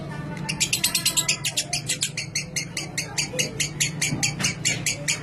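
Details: Lovebird giving a clear ngekek, the long chattering song used as a lure to prompt other lovebirds into long ngekek; harsh, rasping notes fired rapidly, about four to five per second, in a steady unbroken run, over a faint low hum.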